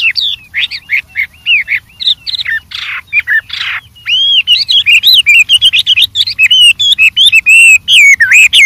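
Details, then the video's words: Wild white-rumped shama pouring out a varied song: quick whistled notes, two harsh buzzy bursts, then a long rapid sequence of clear, warbling whistles. "suara Burung Wambi Gacor Variasi Banyak dialam liar"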